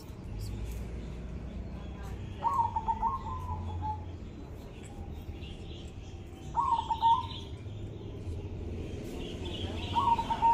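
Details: Kept zebra dove singing keenly after consistent care: three rolling, slightly trilled coo phrases spaced about four seconds apart, with faint human voices and low background noise.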